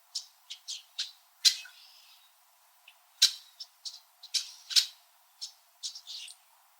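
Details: Red-winged blackbirds in winter, perched high on tree branches in a backyard in Southern Ontario (Niagara), Canada, chirping at each other: harsh, dry check notes, about a dozen short chips at an uneven pace, some doubled or slurred.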